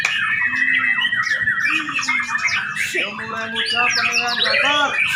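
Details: White-rumped shama singing at a bird singing competition: rich, rapid medley of whistled notes, sweeping slurs and chattering phrases, with several other birds calling and overlapping, and people's voices in the background.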